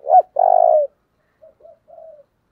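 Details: Spotted dove in 'giọng thổ' style, calling intensely: one short loud note, then a long, low, throbbing coo, then three soft trailing notes.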